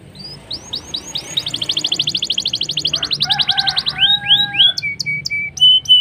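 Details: Black-throated canary singing in the lively rolling style used as a lure to get other canaries singing quickly: upslurred whistles speeding into a long rapid trill, then lower buzzy notes and sharp high strokes, with steady mellow tones near the end.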